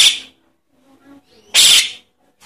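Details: Begging calls of a Javan myna chick, used to attract adult birds: two harsh, wheezy rasping bursts about one and a half seconds apart.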